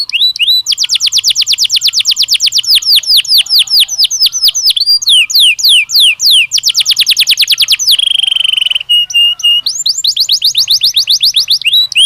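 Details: Belgian canary singing naturally in long rapid rolls of repeated swept whistles, with a brief buzzy trill and a pause near the end before the rolling phrases resume.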